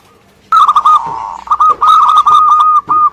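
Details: Local Indonesian zebra dove singing energetically: a steady mid-pitched cooing phrase of rapid tremulous pulses, repeated in runs with short breaks, with faint high chirps from other birds.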